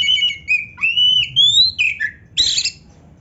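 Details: Oriental magpie-robin (kacer) in full song, loaded with 'isian' filler phrases, meant as a training master: clear whistled notes gliding up and down, a rising sweep, then a short buzzy rasp near the end.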